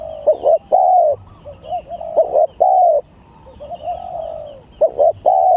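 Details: Contest of spotted doves singing gagap tindan against klantan styles: mellow low coos, clipped stuttered notes leading into long level-then-falling coos, softer answering coos in between and faint high chirps.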